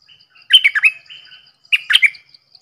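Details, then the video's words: Two quick phrases from a Red-whiskered bulbul, each a bright warbled cluster of rising and falling whistled notes, about a second apart. "เสียงนกดอกแตงEp.105 Birds sounds"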